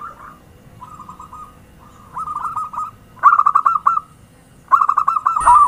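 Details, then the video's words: Perkutut lure call for trapping birds: soft opening coos, then bursts of rapid, stuttering cooing notes that grow louder with each run, a high whine entering at the very end. "Suara Pancingan perkutut gacor"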